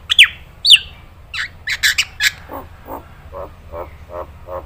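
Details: Nias hill myna training recording for other birds to copy: two piercing falling whistles, some scratchy squawks, then six soft, evenly spaced lower croaks.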